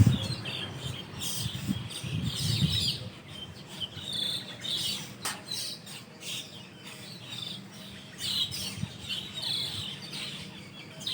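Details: Morning chatter of Asian glossy starlings after dawn prayer at their communal roost in a leafy tree; scattered high chirps and twittering phrases over low rumbling background noise that is loudest at the start.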